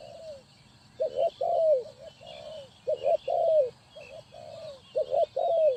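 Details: Ninh Thuận spotted dove serving as a trapping decoy, delivering low, hollow cooing phrases of short stuttering notes capped by a long downward-sliding coo, several phrases in a row with faint bird chatter above.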